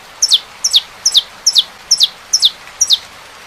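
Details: Saffron finch song: seven evenly spaced, high, double-noted chirps that each drop sharply in pitch, delivered a bit faster than two per second over a soft hiss.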